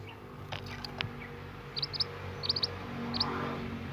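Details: Young wild scarlet minivet singing actively in forest: short, high, thin whistled notes in quick pairs and triplets, spaced irregularly, over a low steady background hum.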